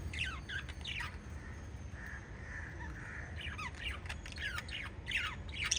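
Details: Five lovebirds from a parrot family chirping: bursts of sharp, descending squeaky chirps at the start and end, with softer, sustained mid-pitched tones in the middle over steady background noise.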